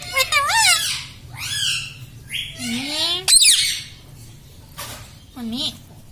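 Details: Pet parrot mimicking speech indoors, words like mummy and mithu: a run of rapid, warbling, pitch-bending syllables, some rising, some falling, separated by brief pauses, with steady low hum underneath.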